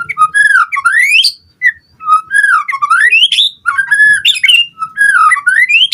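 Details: White-rumped shama song to provoke a response from other birds: continuous fluty whistles sliding up and down, with rising sweeps and rich varied phrases.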